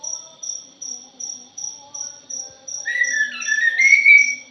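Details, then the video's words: Orange-headed thrush, punglor jali type, noisy chattering lure song: a loud sliding, warbled phrase of rising and falling whistles breaks in midway over a steady, evenly pulsed insect-like ticking that repeats about four times a second. "PANCINGAN PUNGLOR JALI JOSS....\ JALIMIN BRISIK"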